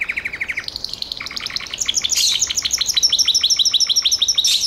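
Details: Gloster canary in full song, moving from a lower rapid trill into higher, ringing repeated notes that build in loudness, with sharp bright accents near the close.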